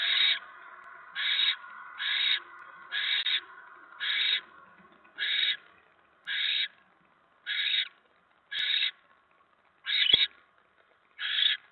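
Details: At a barn owl nest on the evening of 10 November 2017, when a mouse is delivered, eleven short rasping screeches follow one another about a second apart, with one faint click.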